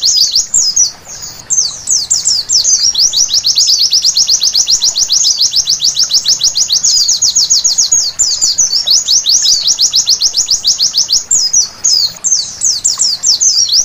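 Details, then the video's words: White-eye at night delivering a long, dense chatter of thin descending notes, a few tangled twittery bursts mixed into the fast even rhythm, continuing almost without break. "Terapi Pleci Malam Hari Bikin Gacor seketika!!!"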